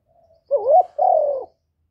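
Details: Captive decoy Spotted Dove calling to stimulate newly kept doves: a faint thin lead-in note, then a bouncing, rising coo and a drawn-out, gently descending coo, loud and clean.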